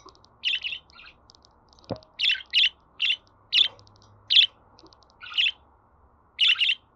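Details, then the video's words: Budgerigar chirps and softer chatter for a pet budgie to hear and answer: clipped chirps, several in pairs, irregularly spaced with faint twittering between them and a single sharp click early on. "Muhabbet Kuşu Sesi"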